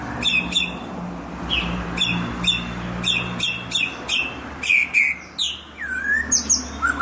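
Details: White-rumped shama singing energetically: repeated sharp high chirps in quick bursts, interspersed with slurred whistles and a falling, rolling phrase near the end, over a low steady hum.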